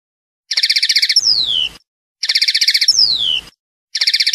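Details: Passade phrases of a European goldfinch: a rapid buzzy trill lasting under a second, then a high whistle sliding downward, repeated about every two seconds with silent gaps between.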